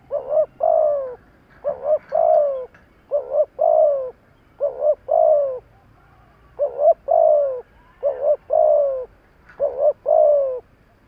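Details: Decoy spotted dove cooing to provoke wild doves: a rhythmic run of low phrases, each a rapid double coo and a longer falling coo, repeated about seven times with short gaps.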